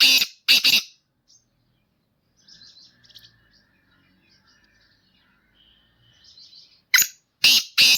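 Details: Kept black francolin, a "speeder" or "chakri wala" bird: loud, harsh, grating bursts open and close the passage, with faint thin chirps and soft rustles in the quiet gap between.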